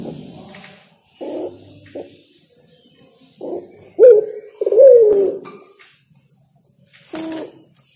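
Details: Spotted dove, called derkuku or tekukur, singing a phrase of low muffled coos that build to two louder rising-then-falling coos, with a brief noisy burst afterwards.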